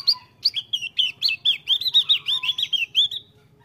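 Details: Javan grey-throated white-eye (Heleia javanica) in full song pours out a fast, bright stream of slurred, chirpy notes, about four each second, wavering up and down at high pitch.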